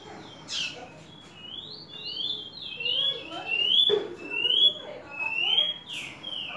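A young Green-winged saltator gives thin, rising whistled notes, repeated about once a second and slurring upward; faint voices or low background murmur sit underneath.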